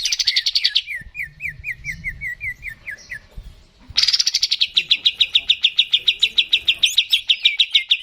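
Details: Greater green leafbird song played to encourage a kept bird to sing: a run of quick descending slurred whistles, a brief gap, then a long fast rattle of high repeated notes.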